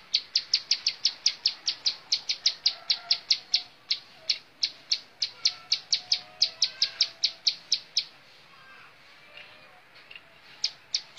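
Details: Bar-winged prinia in montal mantul song, a long steady train of piercing high chips about four per second for eight seconds, then silence and a few final notes.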